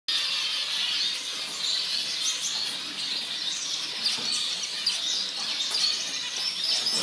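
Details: Orange zebra finches, several birds, in a dense, continuous chatter of high, squeaky chirps and short nasal notes overlapping throughout, with no pauses and a steady level.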